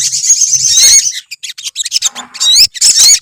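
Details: Olive-backed sunbirds in a colony: a brief burst of high, sweet twittering with rapid rising and falling whistled notes, a short gap of scattered chips, then more trilling phrases.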